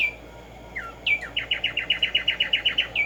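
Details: Black-striped sparrow (Arremonops conirostris, tico tico) singing in nature: a few falling whistled notes, then a fast, evenly repeated series of bright clipped notes, about four per second, ending on a higher note.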